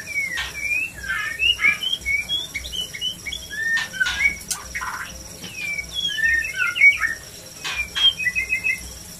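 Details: White-rumped shama, used as a lure to bring a bird into breeding condition; rapid sequence of short whistled notes and slurs, with occasional sharp clicks and a faint constant background tone.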